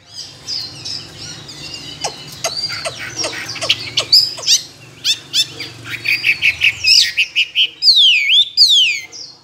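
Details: Tame Chinese hwamei in a cage two years, a contest singer with varied wild voices: sharp clicks and short scattered notes build into loud descending whistled slurs repeated near the end.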